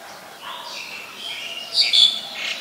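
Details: Black-collared starling (Gracupica nigricollis) in Ubon Ratchathani, Thailand, on 2 January 2020: soft scratchy notes build into louder, harsh, grating squawks toward the end.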